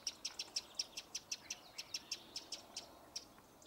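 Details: Eurasian wren giving an alarm call: a steady series of short, hard, high ticks, about five per second, with little else in the background.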